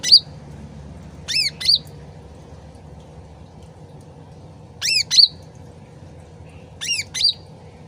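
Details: Sooty-headed bulbul original voice with trickling water: sharp falling-then-rising whistled notes in pairs, given in four bursts, more squeaky than sweet, over a steady water murmur.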